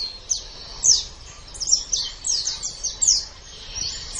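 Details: Pleci, or white-eye, singing in the lively 'gacor' masteran style: sparse, thin, high chirps and short sliding notes spaced irregularly over about four seconds against a faint background hiss.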